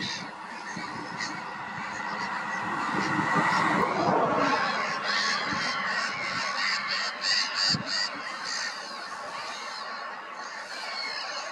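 A dense chorus of black-headed gulls: many harsh, grating calls overlapping at a fast pace, with a steady background hubbub and no pauses.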